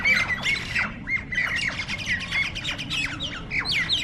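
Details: Fighting Nias starlings (jalak nias), several birds in a tense brawl: dense harsh squawks mixed with sliding whistled notes, calls overlapping in a continuous, irregular chatter.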